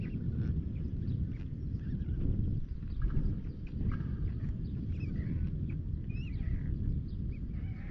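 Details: Two growing white stork chicks at a nest on Alcalá de Henares town hall tower, Madrid, beg the female for food, tapping her bill until she regurgitates: a low, rasping, rapidly pulsed chatter running on without a break, faint higher calls behind.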